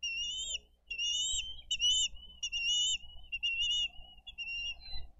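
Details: Bald eagles feeding their eaglets fish at a nest in Dade County, filmed by nest camera on 22 April 2023; loud, clear, high whistled calls strung together almost continuously, each note wavering and slightly rising, with little background noise.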